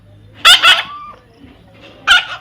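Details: Baby parrot calling with short, harsh, raspy squawks, two quick ones close together and another a moment later, over faint background hum.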